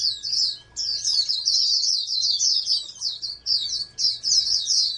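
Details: Oriental white-eye bred as a national contest hopeful pours out fast high chirping phrases, pausing briefly near one second, with a soft hum in the background.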